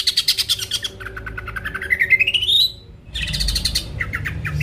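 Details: Greater green leafbird song meant to provoke rival birds: a buzzy rattle, then a long rising whistled glide climbing steadily in pitch, followed by more harsh rattling notes.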